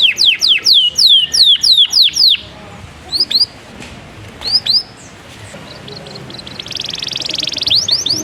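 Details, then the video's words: Canary singing in the sharp "cuit cuit nembak" style, played as a lure to excite canaries and teach young ones to sing; loud, quick, piercing downward-sweeping whistles fired in fast bursts, a pause with a few scattered notes, then a rolling trill with more sweeps. "PANCINGAN Kenari GACOR EMOSI‼️CUIT CUIT NEMBAK ampuh buat KENARI PAUD belajar BUNYI"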